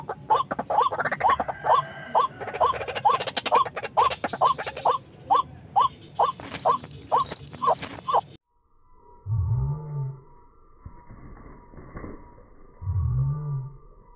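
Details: Lure of white-breasted waterhen calls for trapping near houses: eight seconds of regular hooked rising notes, then a pause and two low drawn-out moaning sounds.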